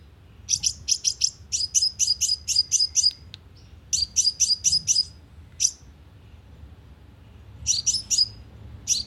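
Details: Sunbird calls used as a loudspeaker lure for catching birds: thin, piercing chip notes in rapid strings of four to seven, with gaps of one to two seconds and some single notes between.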